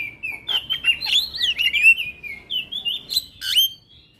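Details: Black-winged myna song played to get a reluctant bird singing: continuous chains of clear, wavering whistles, rising and falling in quick succession, with a few sharp clicks.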